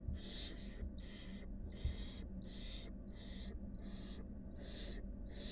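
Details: Wild barn owl nestlings, one of five with their mother, give harsh broadband hissing screeches in steady bursts about every 0.7 seconds over a constant low hum.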